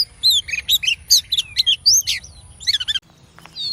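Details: Female oriental magpie-robin, a cage bird, singing to excite males: bright whistles and quick slurred chirps tumble in a dense burst for three seconds, then a short pause and one more high whistle.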